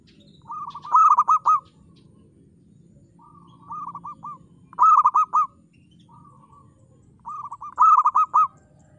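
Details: Local zebra dove singing with a clear crystal tone, repeating short phrases of rapid stuttering coos about every one and a half seconds, softer and louder phrases alternating over low background hum.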